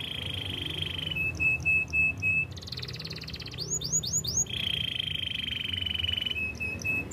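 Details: Canary song meant for training other canaries: long steady buzzy trills broken by sharp high pips, a burst of fast clicking rattle and a few looping whistled swoops, then the buzzy trill again.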